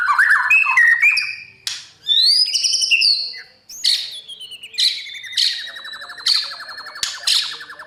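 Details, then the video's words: Morning song of a white-rumped shama, played to coach newly caught birds for competitive singing: clear whistles and slurred notes, then a series of short bright bursts repeated roughly every second. "Chòe lửa hót sáng luyện giọng cho bổi hót đấu căng lửa , chòe lửa luyện giọng"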